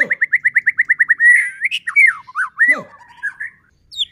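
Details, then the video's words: White-rumped shama song used as a lure to provoke other shamas to sing: a fast run of about a dozen repeated rising whistled notes, then varied slurred whistles and chattering phrases. "Murai batu gacor AMPUH buat PANCINGAN murai batu agar bunyi JADIKAN burung murai EMOSI"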